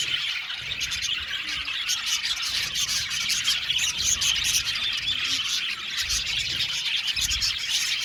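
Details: Colony of budgerigars in an aviary, a thick chorus of buzzy twittering and squeaky chirps running continuously, with faint low thumps beneath.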